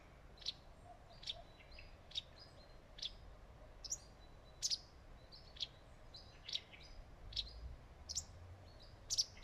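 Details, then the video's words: Wagtail perched on a branch in leafy shade in a forest, calling; short high sharp chips repeated roughly every second, some doubled, over a steady low background rumble. "The wagtail is talking"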